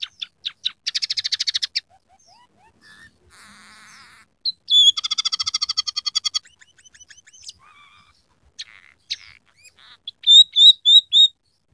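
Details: Scaly-breasted munia (emprit peking) in full song mixing rough canary, sparrow and red siskin sounds; fast chattering trills, soft nasal buzzes, a loud rattling run, scratchy chips, then a closing series of bright whistled notes.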